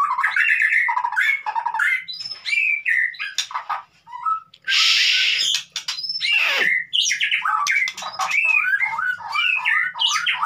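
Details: Lure recording of white-rumped shama 'konslet' song meant to trigger a mute bird into singing: rapid chattering phrases and clicks, a harsh rasping burst near the middle, then a run of quick, bright, upward-flicking whistled notes.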